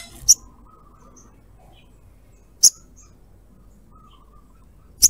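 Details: Female little spiderhunter calling a male; three isolated, very short, sharp high chips spaced about two and a half seconds apart over near silence.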